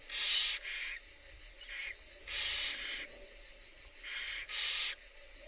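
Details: Barn owl chicks, the third newly hatched, being fed by their mother in a monitored nest in Italy; loud harsh hissing screeches of about half a second, repeated roughly every two seconds, with softer wheezy hisses in between.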